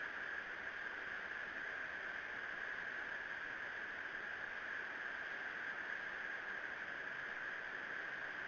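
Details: Even hiss with a steady band of electronic noise throughout and no animal calls.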